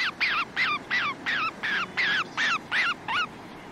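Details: White-faced storm petrel (Pelagodroma marina) calling and singing: eleven evenly spaced, harsh downslurred notes delivered at almost three per second, steady and rhythmic throughout, with a soft low background hum.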